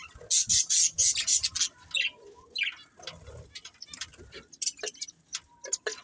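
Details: Budgerigars of a breeding pair: a loud run of sharp high chirps at the start, then sparser scattered tweets and clicks over a quieter background.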